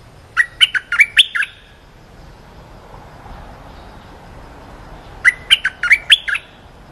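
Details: Cream-vented bulbul giving a short training song meant for teaching young birds: two quick bursts of about six bright, chirpy, slurred notes, separated by roughly four seconds of quiet low background hiss.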